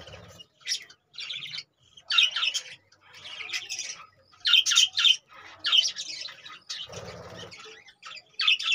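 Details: Caged budgerigars calling with quick, high, squeaky chirps in clusters of two or three notes, repeated steadily with short gaps between bursts, with a brief low buzzing sound near the end.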